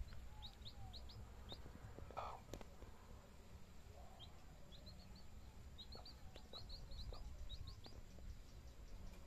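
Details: Chicks beside a hen: faint, high, short peeps in loose bursts, one soft low cluck early on, over steady low outdoor rumble.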